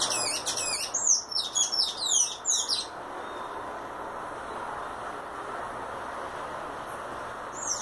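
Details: A Sayaca tanager sings its 'violin' song, a fast run of thin, squeaky, high twittering notes for about three seconds, then only a steady background hiss remains.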